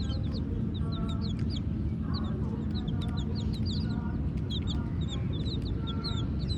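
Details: Several black and white chicks cheep steadily, with high, short, falling notes in quick overlapping bursts and scattered clicks, over a loud, continuous low droning background.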